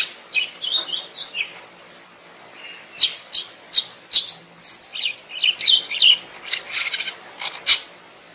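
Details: Wild greater green leafbird giving a busy, varied song of sharp chirps, trills and high whistled phrases, loosely repeated across several seconds with short gaps.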